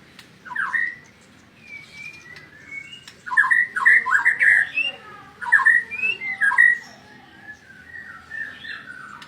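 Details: White-rumped shama song used as a training model: loud whistled and slurred phrases around mid pitch, bursts of rich varied notes with short pauses between them, faint background hum.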